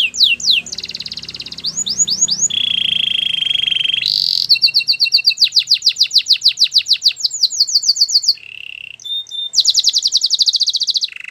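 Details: Canary training song with swooping slurred notes, a level rolling trill, then long fast series of sharp repeated chips and brief trills, phrases shifting abruptly; faint low background hum.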